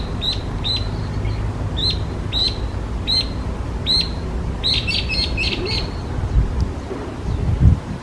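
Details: Invasive Chinese hwamei in Japan sings spaced, sharp single notes roughly every half second, then a tighter cluster of rapid notes, before falling quiet against a persistent low rumble.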